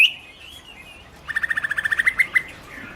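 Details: Chinese hwamei (Garrulax canorus): a single sharp whistle, a soft wavering note, then a quick even run of about a dozen short clear notes ending in slower, higher ones.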